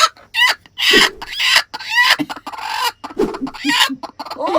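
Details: Broody Silkie hen on a Vermont homestead in the morning, upset and yelling at the keeper: harsh, rasping growls and squawks bursting out roughly twice a second with short clucks between; a person speaks briefly.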